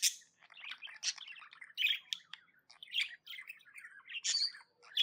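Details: Chatter from a happy tame budgie, mixing rapid twittering notes with sharp scratchy squawks that break in about once a second, over a quiet background.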